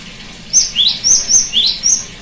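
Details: A cinereous tit's song, used to get a silent bird singing: six clear, high whistles delivered evenly, high level notes alternating with lower rising sweeps, with little else heard.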